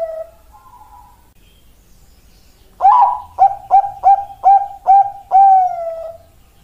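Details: Zebra dove of the Bangkok perkutut type: after soft low coos, a loud clear series of six short, evenly pitched coo notes repeated about twice a second, ending in a long, gently falling coo.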